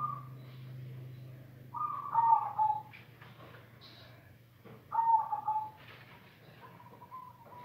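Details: A silver zebra dove coos in two soft, stuttering bursts of mid-pitched notes about three seconds apart, then a brief steady tone, over a low constant hum.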